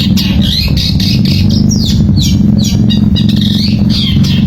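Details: Semi-style long-tailed shrike song, played to spur quiet shrikes into singing: a busy, continuous run of scratchy squawks and bright swooping whistled notes, repeated rapidly over a constant deep mechanical hum.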